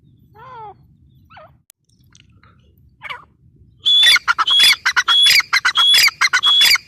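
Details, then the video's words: A grey francolin gives a few soft, wavering lower calls, then bursts into a loud, fast, repeated series of harsh, shrill notes with whistled peaks that carries on for about three seconds. "Teetar voice | teetar ki awaz | gray francolin teetar sound | dakhni teetar awaz"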